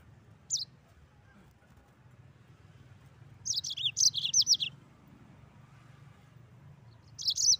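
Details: Mozambique canary in full rolling song: a single sharp chirp, a pause, then a quick run of about eight bright, jerky high notes, and another brief chirpy phrase at the close. A faint low hum runs underneath.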